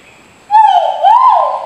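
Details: Grey peacock-pheasant giving a call used to call the flock: one drawn-out, harmonic-rich note lasting just over a second, steady at first and then rising slightly, with a quiet background.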